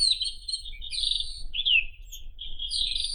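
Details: Brief White-throated robin phrase of buzzy, sustained trills and one clear descending whistle, sung loudly over a soft low rumble.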